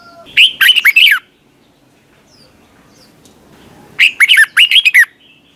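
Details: Morning competition song of a red-whiskered bulbul, 'twisted voice' style used to coach birds: a lively phrase of looping whistled notes, nearly three seconds of quiet, then a second phrase of similar rolling whistles.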